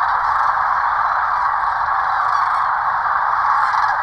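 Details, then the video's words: Large flock of migrating sandhill cranes on the Platte River, Nebraska, after a short flight and landing, producing an unbroken wall of overlapping rolling, rattling calls. "Взлетели- крылья размяли и посадка"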